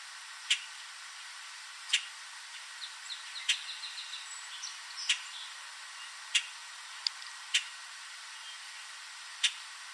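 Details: Late-evening Common Grackle perched in a backyard tree in Southern Ontario, Canada, giving abrupt, harsh chip notes at irregular intervals of one to two seconds, while fainter twittering from other birds sounds behind them.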